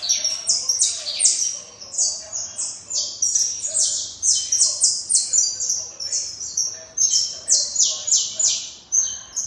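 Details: Saffron finch singing continuously, a lively stream of high, shrill, slightly rasping notes repeated quickly and evenly for nearly ten seconds, almost without pause.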